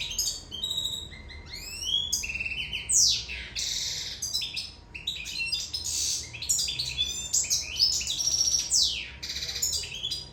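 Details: Sicilian European goldfinch in love: long, rich song of high twitters, swooping slides and harsh buzzy bursts, delivered almost nonstop for ten seconds over a faint steady hum.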